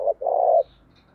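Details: Spotted dove cooing in early morning, a call used to lure others: a brief low coo then a longer sustained coo, clear and close.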